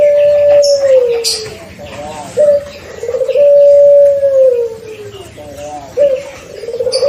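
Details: Barbary dove, pelung style, six months old and paired early to stimulate its voice: two long sustained coos, each holding level before gliding downward, separated by short clipped notes, with a third coo beginning at the close.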